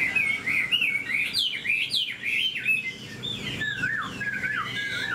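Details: Caged Chinese Hwamei in full song, a continuous flow of clear whistled notes that rise and fall, looping slurs and sharp upward sweeps strung together without break.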